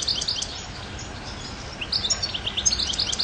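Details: Goldfinch twittering in two bursts of sharp, high chirps and quick slurred notes separated by a short quiet gap.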